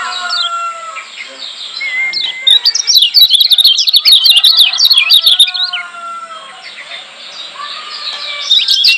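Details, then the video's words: Lombok white-eye masteran to make other white-eyes emotional and heated; faint whistles from other birds, then a long loud bout of rapid high twittering chirps, fading to softer notes. "Masteran Kecial Kuning Joss NGOTOT Ampuh Bikin Kecial Yg Denger EMOSI KEPANASAN"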